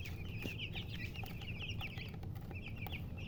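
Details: A group of young chicks keeps up rapid, continuous high peeping, the short notes tumbling over each other, over a steady low-frequency drone.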